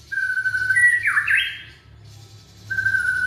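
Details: Young white-rumped shama from Indonesia, its song meant to set other shamas singing: a long level whistle rising into a twisting slurred flourish, a pause, then another steady whistle begins.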